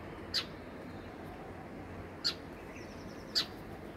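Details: Sparrows at their home in summer giving three short, sharp, high chirps spaced irregularly about one to two seconds apart over a steady low background hiss.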